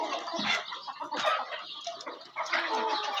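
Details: Farm chickens drinking after being given water, a dense overlapping chorus of clucks and squawks from many birds, coming in bursts with brief lulls.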